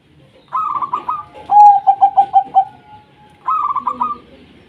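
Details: A local zebra dove sings, used to stir reluctant doves into singing: a burbling trill, then a rapid run of five or six ringing coo pulses, then another trill.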